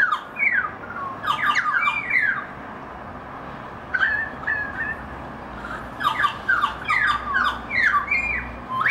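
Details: Currawong family group singing together: bursts of loud ringing, rising and falling whistled and squawky notes from several birds, a pause near the middle, then a second overlapping chorus.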